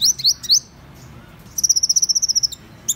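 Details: Three quick rising slurred whistles open this Van Hasselt's sunbird song, followed after a pause by a long, even trill of about fifteen sharp high ticks and a final upslur.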